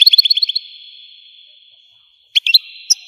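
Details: Algerian European goldfinch singing: a fast run of bright twittering notes followed by a long level whistled tone, then after a pause more sharp chirps and a sustained note.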